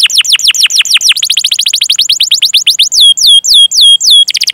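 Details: Canary song for training young, untrained or non-singing canaries: a long series of quick downslurred notes running into a fast trill, then four loud hooked whistles spaced evenly, ending in a rapid burst.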